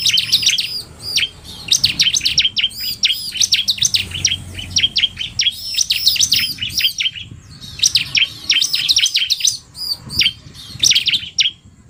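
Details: Combined male 'narung' and fast female bar-winged prinia song: long bouts of loud, high-pitched chirping, rapid and densely packed notes rising and falling, broken by a few short pauses over twelve seconds.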